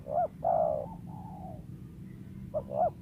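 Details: Wild spotted dove, valued as a lure voice, giving a few fainter hollow coos, one long coo trailing off, with a low background hum.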